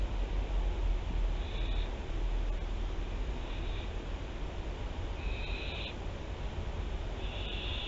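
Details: Barn owl from a nesting family at Théding, France, 24 September 2021, on a nest webcam: several short, harsh hissing screeches, each about half a second, at irregular intervals over a steady low rumbling hum.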